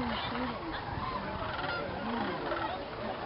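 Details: Sandhill cranes stopping over at an Indiana preserve, gathered by the thousands in a field at dusk before roosting; a dense chorus of overlapping rattling, honking calls from many birds with no pause.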